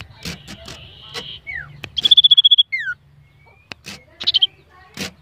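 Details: Caged common iora being warmed up and provoked before a singing contest: a quick ringing trill of about ten high notes, then a sharply falling slurred whistle, with scattered clicks and thumps around.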